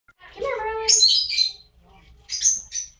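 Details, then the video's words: Ten-year-old Camelot macaw during recall flight training gives two harsh, raspy squawks about a second apart, after a brief tonal human voice or whistle. "Camelot Macaw flight training"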